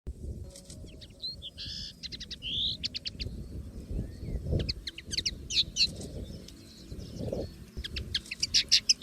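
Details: Common linnet singing free in nature: fast, varied twittering of short chirps, buzzy notes and bright upslurred whistles in loose bursts, over a steady low rumbling background.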